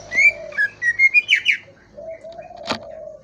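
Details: Greater green leafbird giving a rapid string of bright whistled notes that rise and fall, ending in a couple of buzzier swoops. A low cooing call and a sharp click follow afterwards.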